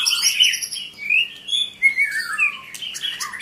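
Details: White-rumped shama delivering high warbles that flow into long descending whistled slurs, with a few quick twitters near the end.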